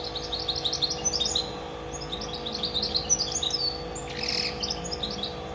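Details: Rapid twittering song of a goldfinch × canary mule: bright high chirps and quick downslurred notes in a tight stream, with a burst of rustling near the end and a faint steady hum underneath.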